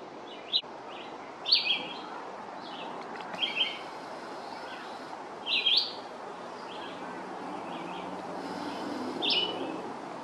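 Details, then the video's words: Red-eyed vireo singing a long song: short, slurred whistled phrases, some rising and some falling, given one after another with pauses of one to two seconds, over a steady hiss of background noise. "Red-eyed Vireo singing a long song"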